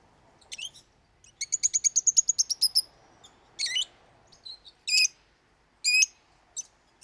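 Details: Lovebird song, a loud and frequent pet parrot chatter: a fast run of about ten rapid ticking notes, then strident high squeaks and ringing shrill calls in separate bursts.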